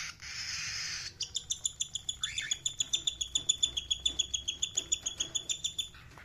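Rose-ringed parakeet giving a rapid, even series of sharp, high chirps, about three or four per second, after a brief burst of hissy noise.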